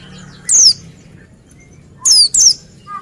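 Oriental white-eye giving three thin, high descending whistled notes, one then a quick pair, over a quiet background.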